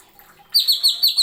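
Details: Greater green leafbird (cucak ijo) masteran song: a quick run of five loud, clear whistled notes, each dipping slightly in pitch, starting after a brief quiet pause.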